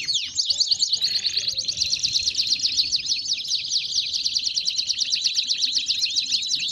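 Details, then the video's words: Belgian canary singing a long, fast, even trill of rapidly repeated notes, opening with a few separate chirps and a short buzzy phrase. "BELGIAN CANARY SINGING!!!"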